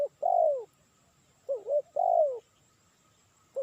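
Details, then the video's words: Spotted dove call used to lure birds. A long falling coo is followed by two short hooked notes, then another long descending coo, over a faint constant high-pitched whine. "Suara Burung Tekukur Cocok Untuk Mikat"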